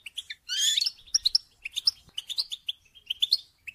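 A goldfinch sings a fast, tinkling run of high twitters and liquid chirps, with a brief buzzy trill near the start.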